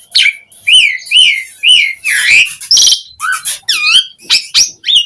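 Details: Asian pied starling singing energetically, a call meant to draw responses from other starlings: repeated slurred whistles about once a second mixed with scratchy, noisy bursts and higher squeaky notes, clear and close.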